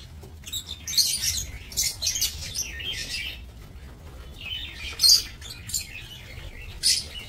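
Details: Shrill, high chattering chirps from lovebirds kept for breeding in an aviary, 22 November 2024, arriving in repeated noisy bursts throughout, with a loud peak midway and a faint low hum behind.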